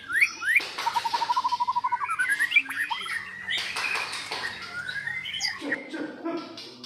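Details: White-rumped shama of the Medan type, from a Medan parent bird, singing to encourage other birds to join in: rising whistled slurs, then a fast even trill of about a dozen notes, followed by rising and jumbled warbled phrases.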